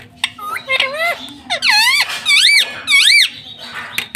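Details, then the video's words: Pet parrot, a green ringneck kept indoors, talking in a small room: a run of harmonic, wavering vocal phrases with rising and falling sweeps, several squeaky syllables in quick succession, quiet room hum beneath. "Mummy papa bolunga 👑 BOLNE WALA TOTA 😁 Talking parrot"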